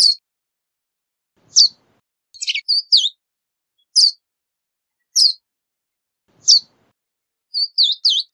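A Verdin gives sharp, high single chips every second or so, broken by quick bursts of two or three thin whistled notes; nothing else is heard.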